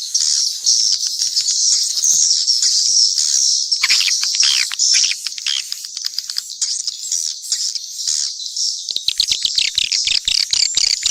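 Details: High, buzzy twittering from a mix of swiftlets fills most of the recording. Near the end, a fast series of crisp clicks takes over, about two a second.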